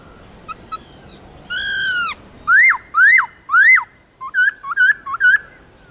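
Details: Laughingthrush song to encourage singing in pet birds: a soft trill, a long rich downslurred whistle, three loud sharply peaked notes, then a quick stutter of short clipped whistles.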